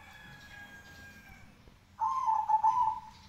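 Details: Zebra dove song: faint thin tones drift through the first half, then a loud, low, rolling coo starts abruptly and lasts just over a second, with soft background hiss.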